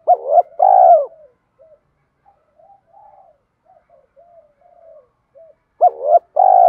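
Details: Spotted dove challenge-cooing in thổ style to train decoy birds; one two-part phrase opens, scattered soft muttered notes follow for several seconds, and a second phrase arrives about six seconds later.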